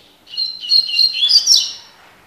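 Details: Double-collared seedeater giving a tui tui style song phrase: a quick run of high, clear whistled notes that climbs slightly in pitch toward the end, lasting about a second and a half, with no other sounds.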